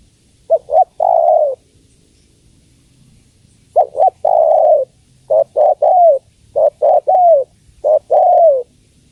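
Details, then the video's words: Female spotted dove calling the male. Phrases of two or three short coos end in a drawn-out, falling coo. One phrase is followed by a pause, then three more come in quick succession. "Suara Tekukur Betina Memanggil Jantan"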